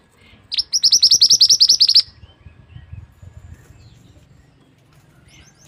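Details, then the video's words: Mantenan bird tutor song: one loud run of about fifteen quick, sharp, high chirps over roughly one and a half seconds, then quiet with soft distant notes before another burst begins. "burung mantenan yang handal untuk masteran"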